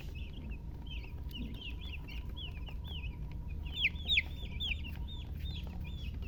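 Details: Chicks, baby chickens, peeping in a quick, uneven series of high, sharply falling chirps, roughly three a second, growing louder midway, with a constant low hum behind.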